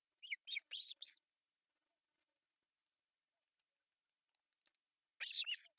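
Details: Begging osprey chicks, three young at a Finnish artificial nest on July 1, 2024 breakfast feeding: a short run of shrill chirps, a long quiet gap, then another squeaky burst.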